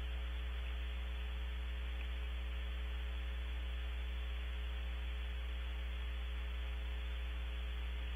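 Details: Steady low electrical hum with a constant hiss of static throughout, and no animal calls heard.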